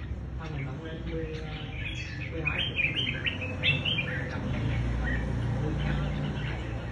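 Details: Red-whiskered bulbul in a fighting contest delivering a burst of short, bright, chirpy phrases in the middle, with background voices and low crowd rumble.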